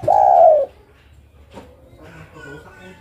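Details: [5, 'Female spotted dove calling for a male: a single long, steady croon cut off after half a second, followed by low indoor background sounds and faint voices.']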